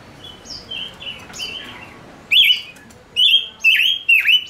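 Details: {'text': 'Decoy male silver-eared mesia singing to bring in wild birds. Softer slurred whistles open, then loud, swooping whistled phrases with sharp dips come in a rapid series of four.'}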